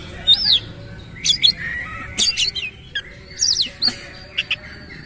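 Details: Oriental magpie-robin, caged and singing energetically with tail fanned, giving rough, varied fill-in phrases. Short bursts of sharp whistles and harsh chips come roughly once a second with brief pauses between them, over a faint low hum.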